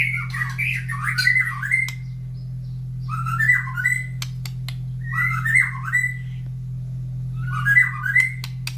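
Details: Caged white-rumped shama singing in the morning after feeding, kept near breeding cages of other birds that answer. Rich warbled phrases come in bursts about every two seconds, with a steady low hum underneath.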